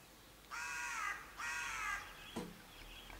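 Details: Raven uttering two rough, buzzy caws, each around half a second, followed by a sharp knock and faint background chirps.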